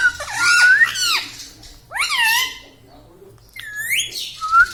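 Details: Talking pet Indian ringneck parakeet laughing indoors: wavering, speech-like harmonic phrases that sweep up and down, with a whistled rising note at the start and a short whistle at the end.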